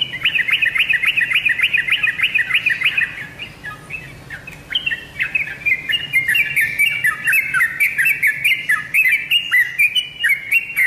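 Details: Yellow-vented bulbul song played as a lure for kept birds: a burst of fast bubbling chirps, a brief pause, then a renewed chattering run of warbled notes, stepping downward, with crisp high ticks.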